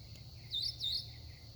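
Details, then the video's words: A very vocal songbird at sunset gives two quick high whistled swoops, each dipping then rising, over a constant high hiss and low background rumble. "Sunset with a Very Vocal songbird. In 20-30 seconds, I don't think he repeated anything."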